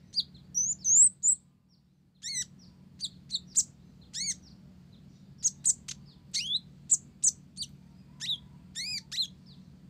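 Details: Lively song of a blorok olive-backed sunbird with Java sparrow mimicry. A whistled twittering opening, a short pause, then a dense run of high chirps and ringing arched notes over a low hum.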